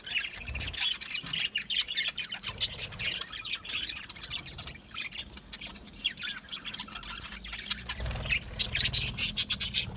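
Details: Budgies in an aviary, small Australian parrots, chirping as a flock: steady busy chatter of squeaky and scratchy high notes, with brief low thumps near the start and close to the end.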